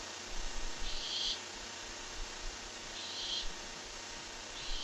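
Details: Strange sounds from a barn owl, recorded July 23, 2015, when an owl brought in a rat: three soft, airy hiss-like bursts about two seconds apart, with constant low background noise.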